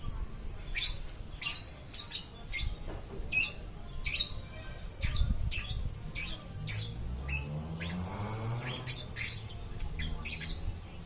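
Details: Lovebird kept as a pet, singing without stopping: sharp, shrill chirps repeated about twice a second, some closely doubled, over a steady low rumble in a small room.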